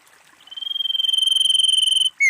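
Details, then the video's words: Female common iora (sirtu, cipoh, cak lilin) calling: a pulsed trill swells, then holds for over a second on one high, steady pitch before breaking into a loud, down-slurred whistle. "SIRTU/CIPOH GACOR Suara Paling Ampuh Untuk PIKAT & PANCINGAN Semua cipow langsung nyaut"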